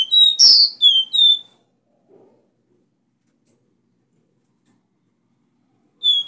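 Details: Copper seedeater, known as caboclinho, singing the three-note 'Dó Ré Mi' bitola song meant to spur a caged bird: quick high whistled notes with one loud burst, then long silence before another phrase begins.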